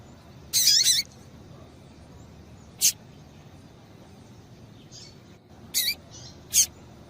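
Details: Female double-collared seedeater calling to excite a male into song: one longer scratchy, trilled call opens, then single sharp high chips and a few faint softer notes spread over seven seconds.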